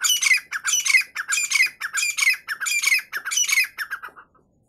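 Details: Female Irani teetar (partridge) calling in a steady series of rasping, scratchy squawks, roughly two per second, each note rough and broad, running for four seconds before falling silent.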